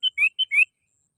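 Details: Sooty-headed bulbul lure sound used for bird trapping: four clear whistled notes alternating a steady pure tone with a slightly lower upslurred whistle, delivered quickly in under a second, loud and clean.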